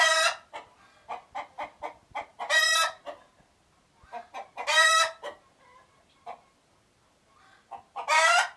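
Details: Agitated chicken making alert noises: a rapid train of clucks punctuated by three loud, hoarse squawks spaced about two to three seconds apart, with quieter clucking between them.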